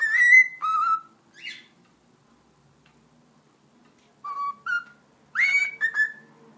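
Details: Pet cockatiel that talks and whistles: a few whistled notes and a brief rough syllable, a long silence, then more clear whistled notes ending in a rising-falling phrase, indoors.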